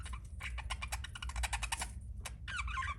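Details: Pet budgerigar chirping: rapid bursts of dry clicking and ticking notes, broken by a short pause, then a brief warbled, wavering phrase at the end, over a low steady background rumble.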